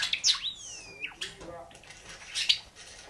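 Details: A male cinnamon Java sparrow sings a short run of high chirps and a long, falling whistled note, followed by softer twitters from other Java sparrows.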